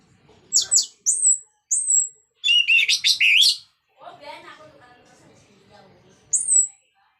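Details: Orange-headed thrush in ngeplong-style song meant to stir other thrushes to sing. High whistled notes flank a dense burst of buzzy warbling, with lower harsh sounds in the middle.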